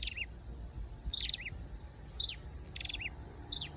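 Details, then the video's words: High, thin flowerpecker notes used to lure birds: clipped ticks and quick downward slurs in a short sequence over low background noise. "Tiếng sâu đầu đỏ mồi"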